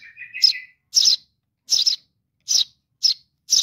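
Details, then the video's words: Young sparrow calling to its mother, opening with a rising buzzy trill, followed by six strident chirps roughly every half second. "suara anak burung gereja memanggil induk .baby sparrow calling for mom"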